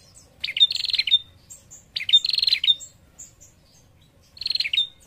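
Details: A female prinia calls to draw a response from males, giving three bursts of rapid, buzzy, chattering notes, each under a second long, spaced about two seconds apart, against a quiet background.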